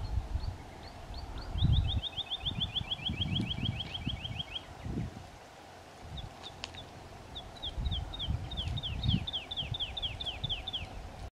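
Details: Woodlark singing at Brtonigla, Istria: two fluty, accelerating runs of liquid notes, each falling slightly, 'lu-lu-lu-lu', over a low rumble of wind.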